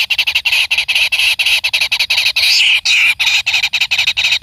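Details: Kingfisher nestling begging as a parent feeds it: harsh, squealing high notes in rapid bursts, with a couple of longer drawn-out screeches midway.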